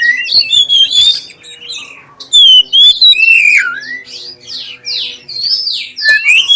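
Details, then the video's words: Black-breasted oriental magpie-robin singing a clear lure song to encourage other magpie-robins; sweeping slurred whistles, some falling steeply, mixed with high thin notes and scratchy bits, faint hum below. "suara pancingan kacer dada hitam suara jernih"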